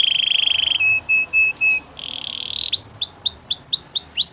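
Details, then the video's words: Canary of the Gloster breed singing a steady rolling tone, clipped lower notes, another buzzy roll, then a run of sharp rising whistled sweeps repeated about three times a second. "Gloster canary singing"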